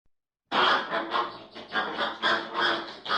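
American flamingos give a dense run of harsh, nasal honks, about three per second, overlapping as if from a flock.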